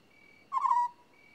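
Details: African scops owl giving a single short, buzzy, purring croak lasting under half a second, low and slightly falling, over a steady high insect whine in a quiet night setting.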